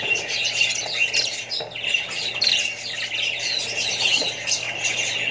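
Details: Australian budgerigars housed with more birds and young keep up a continuous twittering of shrill chirps and raspy notes, the chatter thick and unbroken, over a low steady hum.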